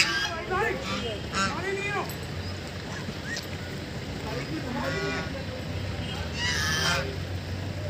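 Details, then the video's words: Ducks playing on a lake give nasal, harmonic quacks in short irregular bursts over a steady low rumble of wind or water. "Ducks playing and making noise in lake"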